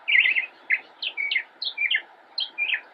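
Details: An immature Northern Mockingbird sings from a bush in Cabarrus County, North Carolina, on 10 October 2016: a rapid jumble of short, varied, bright mid-high chirps and slurred notes, several a second, over a faint low hum.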